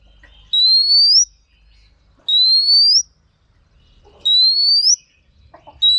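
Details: Female Oriental magpie-robin, used to stir males into singing, gives a clear whistled note that slides upward and ends in a quick flick, repeated about every two seconds with quiet gaps between.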